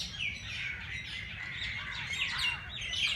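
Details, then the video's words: Dawn birdsong in Jilani Park, Lahore: overlapping chirps, trills and a few clear whistled upslurs blend into a continuous high chorus above a quiet low hum. "Birds sounds Chirping at race Cource Jilani Park Lahore صبح سویرے پرندوں کی پیار بھری باتیں"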